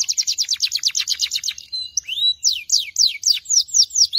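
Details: Belgian canary, a domestic canary breed, chirping: a fast run of high, rapidly repeated sharp notes that turns into slower, separate swooping slurred notes, each about a third of a second apart. No other sounds are heard.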